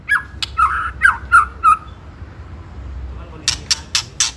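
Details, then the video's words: White-rumped shama ketrekan song for rousing rivals: a series of short harsh notes with clicks, a pause, then four loud rasping clicks. "Pancingan Murai Paling Ampuh !! ketrekan kramat"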